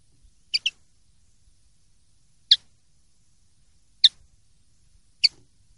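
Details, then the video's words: Common linnet in the clean 'limpio' style, 2023/2024 silvestrismo recording. One double chirp opens the clip, then three single sharp high ticks follow at uneven gaps of one to two seconds. The setting is quiet. "CD PARDILLO LIMPIO 2023/2024"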